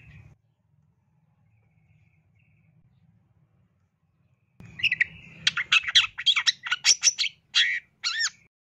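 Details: After several quiet seconds with only a low hum, a Long-tailed shrike breaks into a rapid, energetic burst of chattering notes and upslurred whistles.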